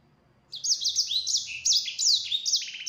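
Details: Yellow-fronted canary song used as a lure to make other canaries answer: after a short quiet start, a rapid, continuous run of high sweeping whistles and chirps, with quick downward slurs and a short trilled buzz at the end.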